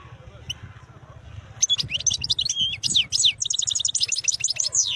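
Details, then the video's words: Rapid, sparkling twitters and trills from a wild European goldfinch run almost continuously through the latter two thirds, with buzzy slurred notes, above a constant low hum. "تغريد حسون خلاوي نوطات جميلة"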